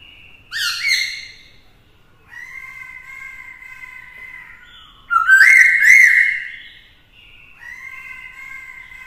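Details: Male Black-throated laughingthrush singing many voices to provoke rivals, a female stirring him: a loud opening phrase, soft sustained whistles, then a loud rising burst of rapid notes, followed by calmer steady tones.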